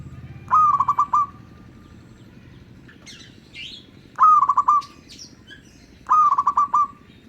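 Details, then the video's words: Local zebra dove singing as a lure for other zebra doves. It gives three short phrases of quick, stuttering coos about two to three seconds apart, each with a firm first note. Scratchy higher calls from another bird fill the pauses. "Suara Merdu burung Perkutut LOKAL Sangat COCOK Buat PEMIKAT Semua jenis Perkutut"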